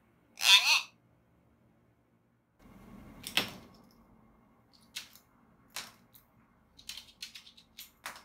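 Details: A pet common hill myna, seven months after arriving home, playing in its usual spot, gives one loud, harsh squawk, followed by scattered light clicks and taps.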